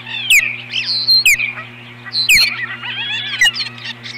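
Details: Loud, squealing whistled chirps from an osprey at the nest on 21 April 2015, as the pair drives off an intruder. The calls come in uneven clusters, with abrupt thumps and a low electrical hum underneath.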